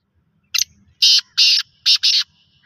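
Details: Loud rasping call of a black francolin, a short clipped note followed by two pairs of harsh, buzzy bursts, the full phrase lasting under two seconds, with faint low rumbling behind.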